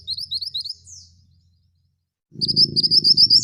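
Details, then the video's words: Male scarlet minivet, rolling-and-shooting (ngerol tembak) song: a short high trill and a falling slur, a moment of silence, then a rapid rolled trill resumes over a low hum. "Suara Burung Mantenan Jantan Gacor"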